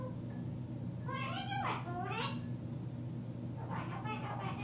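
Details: A cockatoo talks after dark on June 6, 2010: two quick, speech-like phrases sliding up and down in pitch, then a softer third phrase, over a low, steady indoor hum.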